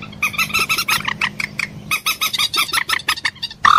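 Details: Common moorhen in a steady stream of rapid, throaty, nasal notes at several per second, ending with a louder squawk. A faint low hum underlies it.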